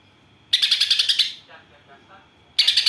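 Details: Greater green leafbird with tree sparrow imitations: a loud second-long run of rapid, harsh chirps followed by soft twittering and then the start of another burst.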